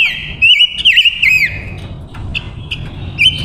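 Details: Female silver-eared mesia decoy bird giving a rapid, fluid warbling phrase of sweet whistles and quick slurred notes, followed by a few short chips, over faint low-pitched background noise.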